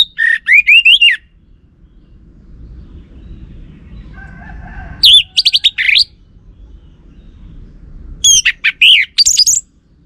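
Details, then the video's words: Orange-headed thrush lure song that makes male birds respond: three short, rich bursts of rising and falling whistles, each about a second long and a few seconds apart, with soft low rumble and a faint hum between. "Ga Bunyi Dengan Pancingan Burung ANIS MERAH Ini dipastikan Itu Burung Betina, Jantan Pasti Nyaut"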